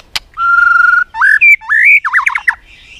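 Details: White-rumped shama, used as a stimulus to provoke shamas into competitive singing, clicking continuously and flicking its tail: a sustained pure whistle, then rising slurred notes and quick tumbling phrases, loud and rich, preceded by a sharp click.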